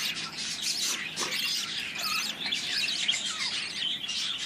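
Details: Freshly hatched budgerigar young raised by a breeder: busy, buzzy high squeaks and grating rasps pour out almost nonstop, with a few thin rising whistles mixed in.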